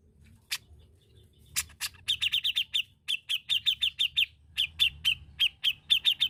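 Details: Grey-cheeked bulbul singing steadily: quick clusters of short, bright notes at a steady high pitch, each cluster of three to five notes, repeated through the clip among loud sharp clicks.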